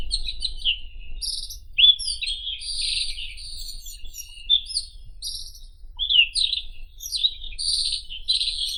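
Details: A White-throated robin delivers a continuous, hurried medley of rasping chirps, high squeaky notes and slurred whistles, barely pausing throughout.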